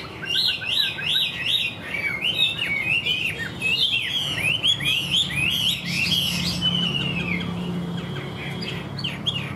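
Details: Chinese hwamei held in a cage and advertised as singing well with an even voice pours out fast chains of looping whistles, roughly two notes per second, then slurred warbling and rasping bursts.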